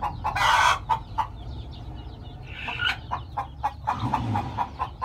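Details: Chickens on a farm where a hen is hatching eggs into chicks: a loud burst of noise, then scattered short clucks and peeps, with a low rumble underneath.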